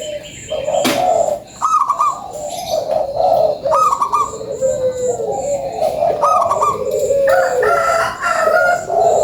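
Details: Local zebra dove lure song: a sharp click then purring, gurgling coos that lift into higher trilled notes, phrases following each other closely, several birds audible with faint high chirps.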